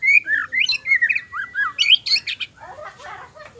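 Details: Gacor song of the white-rumped shama (murai batu), meant as therapy for reluctant singers: looping whistled phrases and high sharp notes, fading into softer chatter.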